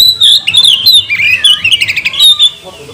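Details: Magpie-robin delivering a provoking song to goad other magpie-robins into singing and tail display; fast, loud tumble of whistled and warbled notes, dense and varied, fading at the end.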